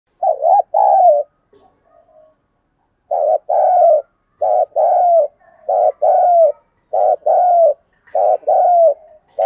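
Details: Spotted dove used as a decoy bird, giving prodding and calling coos in the local thổ voice style: paired phrases of a short low note and a longer falling coo, repeated roughly every second and a half, with clean silence between phrases.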